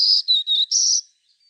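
Black-throated Green Warbler singing a quick run of four high, buzzy notes, the middle two slightly lower, lasting about a second.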